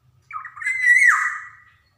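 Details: Black-naped oriole from Java, a lively golden male used as a lure recording to get young birds singing: a ragged, buzzy opening, then a clear fluty whistle that slurs down into a lower mellow note.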